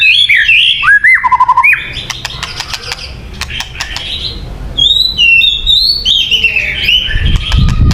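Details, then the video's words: Luring song of a white-rumped shama: varied fluty whistles and slurs, a run of sharp ticks, then high clear whistled notes, with a low rumble at the close. "Suara Burung Murai Batu yang paling baik untuk pikat"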